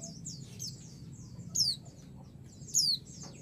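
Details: Two loud, high whistles sliding downward, a little over a second apart, from a female white-eye calling a male to provoke his answer, with soft high twittering and low hum behind.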